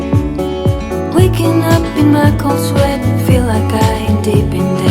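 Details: Upbeat instrumental music with a steady thumping beat and layered tones, with no animal sounds.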